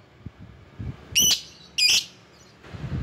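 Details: Lovebird recording used as a lure to call rivals: two short, shrill, high chirps about half a second apart, with faint low rumbling underneath.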